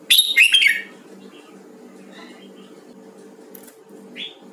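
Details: Red-whiskered bulbul, Huế variety, in a voice-training session. It opens with a loud, quick warbled phrase of clear whistles lasting under a second, then only faint notes and one short rising whistle near the end over a soft hum.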